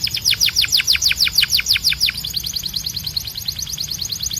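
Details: Canary tutor song meant to teach young birds and encourage male canaries to sing: a fast run of high downward-swept notes, then a quicker, softer trill of repeated short notes, over a faint low hum.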